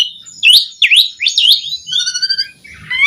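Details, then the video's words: Asian pied starling singing for use in training caged birds: three looping whistled phrases followed by drawn-out steady tonal whistles and a warbling end. "Suara Jalak Suren Gacor Melimpah Cocok Buat Pancingan & Masteran Burung Jalak Agar Gacor Full Isian"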